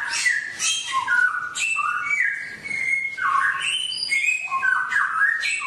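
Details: A songbird gives a rich, fast run of clear whistled notes in short varied phrases, jumping between high and mid pitches with barely a pause. It is a daily training recording meant to teach caged birds wild forest song.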